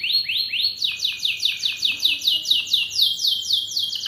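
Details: Atlantic canary singing training material: two slurred whistled notes, then a steady rolling trill of sharp descending notes repeated about six times per second, clear and high.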